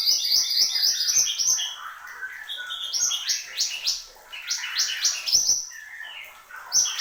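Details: Horsfield's babbler in full, vigorous song; a busy stream of bright, fast-repeated whistled and chattering notes, rising and falling in short bursts, with some lower warbled phrases.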